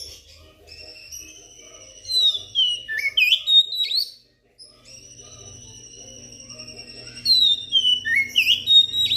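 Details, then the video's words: Oriental magpie-robin song used as a lure to prompt other magpie-robins, including reluctant cage birds, to sing: loud clear whistles, long level notes mixed with quick rising and falling slurs, a brief pause midway, then a fresh run of phrases. "suara pancingan kacer"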